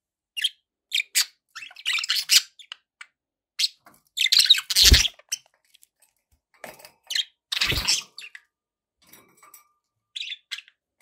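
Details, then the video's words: Pet budgerigars in lively chatter: clipped chirps and squeaks in quick bursts, two loud harsh crackly notes standing out, quieter ticks filling the gaps. "1 hour of budgie sounds"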